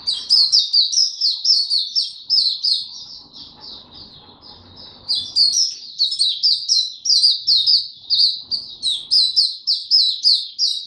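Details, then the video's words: Caged Oriental white-eye singing on 25 January 2022 after a late night: a long run of rapid, evenly pulsed high chirps, several per second, pausing briefly midway before resuming just as fast, with faint low room noise. "Mata Puteh Hercules V2 buka tiong aw sing slept late last night"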